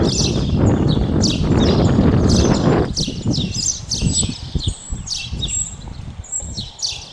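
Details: Spotless starling giving a dense run of short, high whistles, chirps and buzzy notes, several per second, overlapping and irregular; a low rumbling noise fills the first three seconds, then the calls continue over a quieter background.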